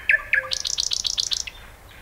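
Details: Two sharp introductory clicks, then a fast, even trill of about ten repeated whistled notes from a common nightingale, fading out at the end.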